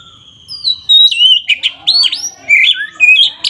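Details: Oriental magpie-robin pouring out loud fighting song meant to anger rival birds: long whistled slurs, abrupt harsh notes and quickly repeated varied phrases.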